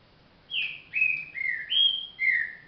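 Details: Green-winged saltator (trinca virador) delivering a single song phrase of five smooth whistled notes, mostly gently falling, one rising, with faint low background hum.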